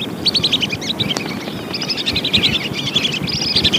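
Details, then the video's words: Lure recording of lesser whistling duck: chattering series of thin, high whistles in several close bursts, over a continuous low background hum. "suara burung belibis"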